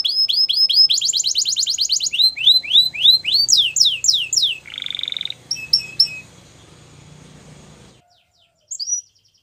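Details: Canary singing used for training: fast repeated sweeping notes and a rattling trill, with a low hum underneath, then a short buzzy phrase and near silence toward the end.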